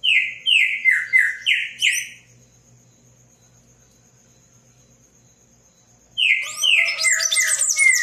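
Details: Palm tanager in heavy song: a quick series of five squeaky, descending slurred notes, then a pause with a faint steady high tone, followed by a renewed burst of rapid jumbled chirps.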